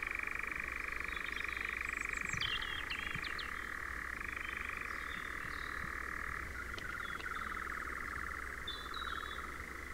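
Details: A European nightjar in Ringwood Forest near Verwood, Dorset, churrs in one long, unbroken mechanical trill that drops slightly in pitch partway through; brief higher chirps from other birds cut in near the start.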